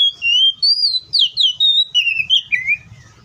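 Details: Oriental magpie-robin singing in the wild: a lively run of clear, sweet whistled notes, slurred up and down, some sharply falling, delivered as about eight quick phrases in three seconds over a quiet background.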